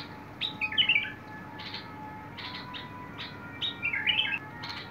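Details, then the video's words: Bulbul, 21 August 2022: two short bubbling warbled phrases framing a series of soft rasping buzzes, over a continuous faint hum. "تغريد البلبل"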